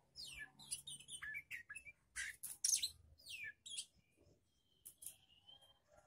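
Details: Young untrained magpie-robin being tested for nerve against other birds: bursts of varied high chirps, sharp whistled slurs and rasping notes, with short pauses and a thin steady whistle near the end.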